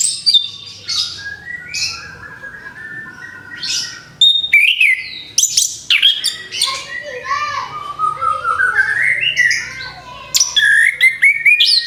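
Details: Orange-headed thrush after moulting, preparing to sing again: varied whistled and chirping phrases with rising slurs, interrupted by pauses, with faint background voices.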